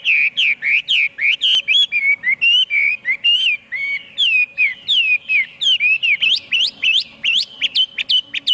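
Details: Hwamei delivering a continuous stream of rich whistled notes, each phrase looping up and down, repeated quickly with little pause and shifting patterns throughout.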